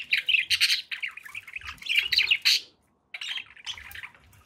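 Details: Pet budgies warble and chirp in rapid bursts of bright notes, stop for a brief silence, then start chattering again.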